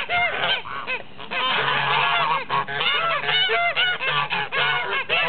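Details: Toulouse geese in blue and grey colours honking as a group; rapid arched nasal honks tumble over one another, about four per second, loud and continuous with brief pauses.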